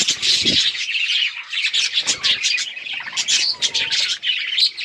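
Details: Chirping budgerigars give high twittering and harsher squawky notes in a busy, unbroken stream, with a few low knocks early on.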